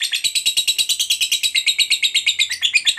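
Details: Lovebird delivering its long ngekek chatter, meant to prompt nearby lovebirds to sing: a short burst of rapid, evenly spaced high notes, steady in loudness and pitch throughout.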